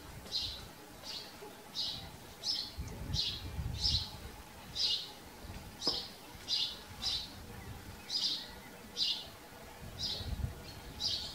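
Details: Farmyard house sparrow chirping in a regular series, short sharp notes spaced about a second apart, over a soft background of low noise.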